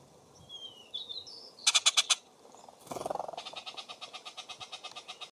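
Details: Bullock's oriole, adult or juvenile male, at a grape jelly feeder in Descanso, a San Diego County mountain community in Cleveland National Forest, California: a few thin high whistles, four harsh notes, then a dry chatter of about twenty clicks. A rustle is heard midway.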